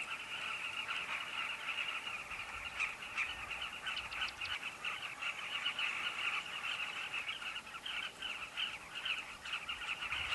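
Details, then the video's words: A carmine bee-eater colony at Kavinga Safari Camp: countless overlapping, rolling, throaty calls merge into a steady chattering roar with no pauses. "Carmine bee-eater colony"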